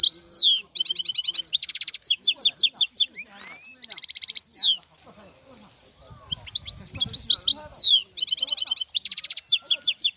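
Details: Wild European goldfinch in full song, fast tinkling twitters broken by dense buzzy trills and sliding notes, phrases repeated with short pauses; brief low rumble midway.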